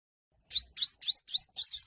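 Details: Olive-backed sunbird giving a fierce fighting song with no background noise, used to provoke other birds to sing. It consists of six high, sharp chirps, each a quick rising sweep. They come in close succession, and the last ones run faster together.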